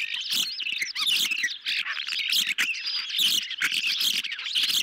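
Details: Hungry ospreys at their nest in the evening of 10 July 2021, given a medium-sized fish; loud, continuous high chirping with looping whistled notes and frequent clicks throughout.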